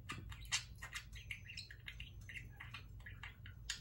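A parakeet chatters in quick, scratchy bursts of squeaks and mumbled syllables, with a low hum in the background.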